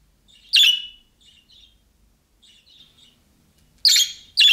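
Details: Budgerigar calling chirps like those of young birds, to which other budgerigars respond: a loud harsh squawk, soft twittering chirps in between, then two more rasping squawks close together.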